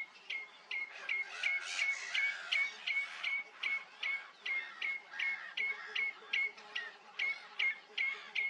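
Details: A common redshank at Rye Harbour gives a steady run of clear, slightly down-slurred peeps, about two or three each second, over a soft background rush of wind.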